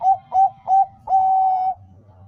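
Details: Bangkok-type zebra dove singing a lure song meant to make other doves sing: three soft, short coos, then one long, level, drawn-out coo that ends abruptly. Some low background hum is present.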